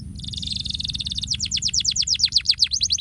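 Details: High buzzy canary trill shifting into rapid, deep downward-swooping notes about four to five per second, loud and rhythmic, with a soft low hum beneath. Offered as a stimulating sound.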